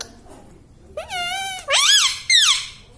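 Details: Tame talking tota produces three drawn-out, strongly harmonic, rising-and-falling voiced syllables in a quiet room, imitating human speech; it is said to say "mummy" and "papa".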